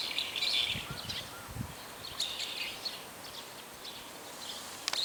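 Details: Several brown-eared bulbuls calling in daytime, using about four call types; scattered short, harsh, high chirps and squeaky notes with pauses between, a few low rumbling thuds early on, and a steady background hiss.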